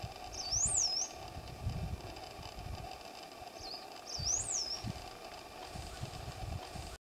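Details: Rufous-backed Inca Finch, a Peruvian endemic, at Matara, northern Peru, giving two high, thin, wavering phrases, each a quick rising-and-falling slur, about three seconds apart over a steady low rumble.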